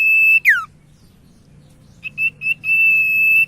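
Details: Common iora lure song to get other ioras singing: a long high whistle ending in a downward swoop, a silence, then a few short notes building into another long, level whistle.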